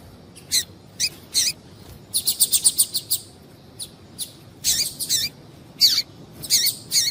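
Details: Female double-collared seedeater calling, used to stir males into singing. Short, high chirps come singly and in quick bursts, including a fast run of about eight notes near the middle, separated by brief pauses over faint background hiss.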